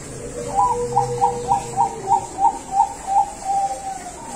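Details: Bangkok-type zebra dove bred at a bird farm in Tasikmalaya, West Java, Indonesia. It sings a clear run of about ten soft, evenly spaced cooing notes, each a short rounded hoot, with a faint steady electrical hum behind.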